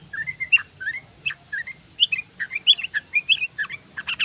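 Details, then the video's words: Tame yellow-vented bulbul singing in rapid, continuous style: quick bubbly chirping notes, some rising and some falling, tumbling one after another in short runs with a faint steady high whine behind. "Burung Trucukan_Trucuk Ropel_Gacor Ropel_Trucuk jinak"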